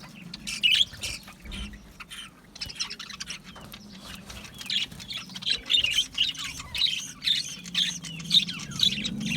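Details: Aviary budgerigars chirp steadily, a stream of bright short notes and soft warbles repeating about twice a second over a low background hum.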